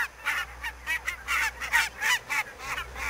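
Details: Foggy morning flock of barnacle geese at Niittylahti in Savonlinna, Finland, 2 October 2011, with sharp barking honks coming in quick bursts, some louder and nearer, over a faint low hum.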